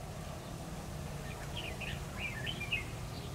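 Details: Red-whiskered bulbul used as a decoy while trapping, singing competitively on 10 October 2019: a brisk burst of slurred, chirpy whistled notes in the second half, over steady low background rumble.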